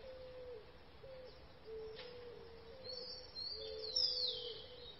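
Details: Birds chirping in the morning: steady low whistled notes repeat in a flat, drawn-out series, joined near the end by a brighter, higher sweeping phrase, all over a soft constant hiss.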